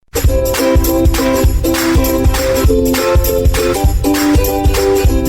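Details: Rhythmic music with tambourine-like shaking on a steady beat and repeated melodic notes, with no animal voice.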